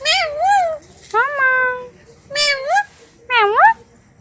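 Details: One of two pet talking parrots speaks four brief words roughly once a second, with bending, rising and falling tones, over a faint low rumble.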